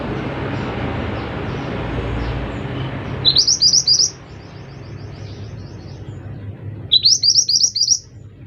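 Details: Scarlet minivet (mantenan) singing 'gacor': two bursts of five or six bright, upslurred whistles in rapid succession, separated by a few seconds of pause, with steady low rumbling noise in the background.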